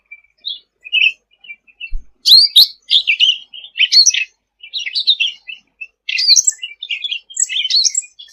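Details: Sooty-headed bulbul, 'gacor' singing: scattered soft chips, then sharp loud notes and dense, jumbled chattering phrases of whistles and trills that continue almost without pause to the end; one faint low knock early on.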